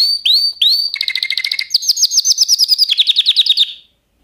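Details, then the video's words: Canary song beginning with three clear upslurred whistles, followed by a fast dry trill, then a series of higher rolling repeated notes that drift downward before the bird stops and silence follows. "Kanarya sesi | Kanarya ötüşü | Canary Sound"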